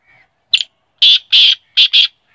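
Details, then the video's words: Black francolin calling: a burst of five loud, harsh, grating notes, a lone note followed by two quick pairs, with faint whistling from other birds before and after. "kale teetarr ki Awaz|black francolin"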